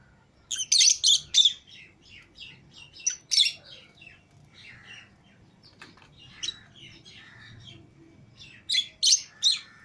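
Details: Green Fischer's and lutino lovebird pairs, pets freed from the cage with other lovebirds. A fast run of sharp high chirps opens, thins into scattered softer chips, then a loud trio of shrill notes closes.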